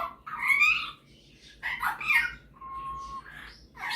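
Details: Pet male Superb parrot showing off mimicry and song: a rising squeaky phrase, a pause, a burst of chatter, then a steady pure whistled note held for about half a second.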